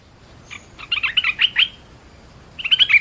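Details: Rather faint, slightly distant red-whiskered bulbul warbling: a run of quick, soft whistled notes, a pause, then another brief bright phrase.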